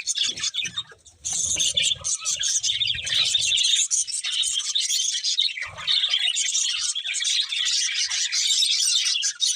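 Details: Chirping budgies in a lively group, busy high twitter and warble after a short quieter start, some low thuds and faint rumble early on.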